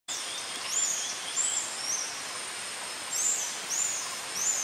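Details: Brown barbets at Congkak Recreation Park, Selangor, on 27 July 2010, possibly mating. Thin, high, downslurred whistled notes come in short bursts every second or so over a steady, loud, high-pitched hiss of background insects.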